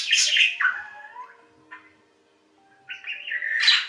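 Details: A budgerigar gives short whistled and buzzy calls, a falling sweep near the start, then a near-silent gap before a rising warbled phrase at the end.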